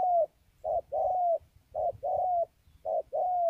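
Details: Spotted dove in Kon Tum, Vietnam, cooing repeatedly in low hollow phrases. Each phrase is a short note followed by a longer drawn-out one, with three phrases in quick succession over faint low rumbling.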